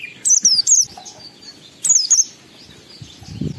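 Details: Short stretch of an Oriental white-eye lure song meant to raise emotion and breeding urge in other white-eyes: two brief bursts of high, fast, descending twitters over a quiet background.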